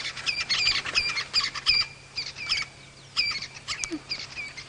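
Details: Francolins call from a distance at sunrise on 6 July 2017 in the Sabi Sand, South Africa, in harsh, scratchy bursts of rapid, ringing notes. The calls come in two clusters with a short quiet gap between them.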